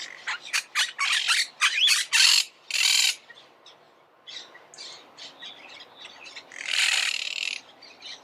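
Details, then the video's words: Monk parakeet producing quick, scratchy squawks in a tight cluster, followed by a long hoarse screech, then sparse softer chatter and one drawn-out rasp. "Canto de la Cotorra - Sonido de Cotorras - Audio De La Cotorra Argentina"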